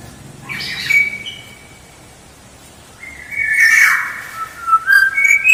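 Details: Black-naped oriole, vocal and active, in a lure recording: a brief whistled note, a quiet gap, then a loud fluty phrase with a rasping edge and short repeated whistles.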